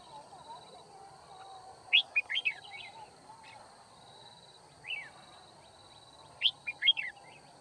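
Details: Red-whiskered bulbul at a trapping site on 9 February 2019, giving clusters of crisp, quick chirped notes in two bursts separated by a single softer slurred note, with a low background hum.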